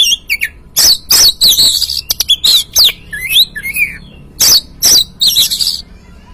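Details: Lure recording of an Oriental magpie-robin to provoke a caged bird to sing: harsh squawky bursts alternate with quick whistled twitters and a softer descending warble.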